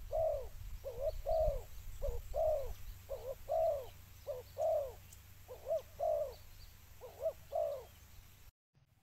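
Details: Spotted dove lure call: a steady run of low, hollow two-part coos, short lead note then a longer wavering coo, repeated about once a second over low rumbling background hum.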